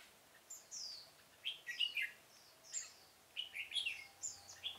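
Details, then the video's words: Pomelo-garden trapping session, 25 October 2017: decoy red-whiskered bulbul delivers quick, sweet downslurred whistles and chirpy warbled phrases in close succession, with light background hum. "Bẫy chào mào Vườn bưởi độc thung chơi sịt cả mồi"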